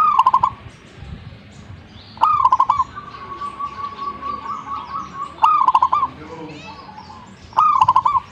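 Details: Zebra dove singing busily: four bubbling cooing phrases, each a rising opening note and rapid beaded coos, with a long steady whistled tone and soft chatter between phrases.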